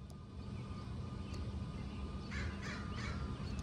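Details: A crow of a local family pair, the male growing bold near the camera and the female still tentative: three hoarse, grating caws in close succession near the end, set against constant low-frequency rumble.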